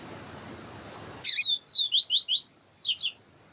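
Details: Siu-siu type song of the yellow-bellied seedeater with a female calling. A sharp click opens, then a brief whistle and a run of about eight rapid downward-slurred high notes lasting nearly two seconds.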